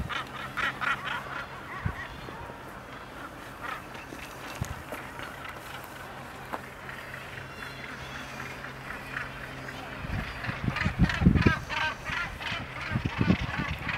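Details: Common guillemots (Uria aalge) on Helgoland give harsh, growling calls that overlap into a constant murmur.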